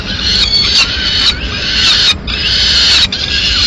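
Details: Female Peregrine falcon arriving with pigeon remains for a late snack, Madrid, 30 April 2016; a continuous harsh, wailing call with high harmonic bands, briefly broken by short gaps, over steady background noise.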